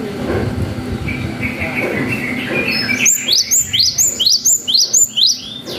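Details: Cinereous tit lure song with long wucit phrasing, meant to excite young birds. Muffled background sounds come first, then a run of bright, rising whistled notes repeated quickly and steadily.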